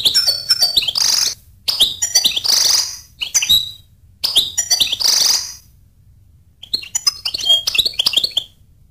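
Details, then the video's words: Twittering goldfinch song: rapid tinkling chirps mixed with drawn-out buzzy nasal notes, sung in bursts of one to two seconds, then a pause and a final softer twittering phrase. "goldfinch sound"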